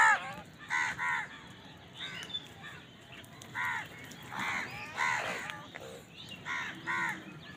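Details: House crow calling while eating, with crows fighting over food nearby: short harsh caws with stacked harmonics, several overlapping birds, many calls in under eight seconds over steady low background hiss.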